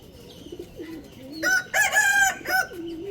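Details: Rooster crowing loudly: a harmonic, strained crow in several broken segments lasting about a second, preceded by softer, lower calls, with faint chirping of small birds in the background.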